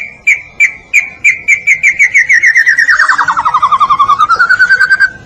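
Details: Murai batu, or white-rumped shama, of the Medan type, in full gacor song for a masteran training recording: sharp separate notes that speed up into a fast rattling series, which drops in pitch and then climbs back again.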